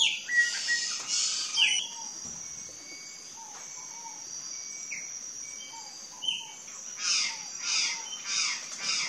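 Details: Wild curl-crested jays in Brazil give harsh, raspy calls in quick bursts at the start and end, with a quieter gap between and a faint insect buzz in the background.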